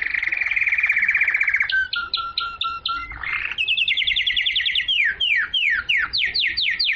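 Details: Canary song said to stimulate females to mate and tutor young birds: a steady buzzy trill, a run of clipped repeated notes, then rapid rising and falling whistled notes repeated in fast series.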